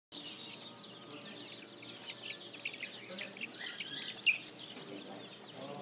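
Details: Spring chicks in an urban farm setting, a dense chorus of short high-pitched peeps and chirps overlapping continuously, with faint low hum underneath.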